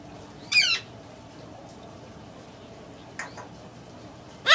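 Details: A tame baby great green (Buffon's) macaw gives three harsh, raspy squawks: a loud one near the start, a fainter one later, and a strong one at the end.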